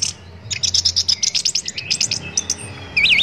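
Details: Orange-headed thrush singing, a training recording for songbirds: a rapid series of short high chirped notes, then a brief whistled phrase rising at the end, over a low background hum.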